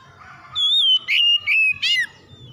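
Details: Oriental magpie-robin song used as a lure to provoke stalled magpie-robins into singing: a long clear whistle sliding down from high pitch, then three quick buzzier bursts dropping lower, with faint low murmuring underneath.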